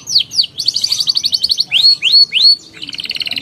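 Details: Canary song used as a lure to get young canaries singing: quick downward-sweeping chirps, a fast buzzy trill, three loud upslurred whistles, then a dry rattling roll at the close.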